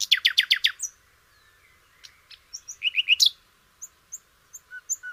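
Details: Flycatcher song used as tutor material for canaries: a fast series of six loud descending buzzy notes, then scattered high whistles, a short rising twittered phrase and sparse thin chirps.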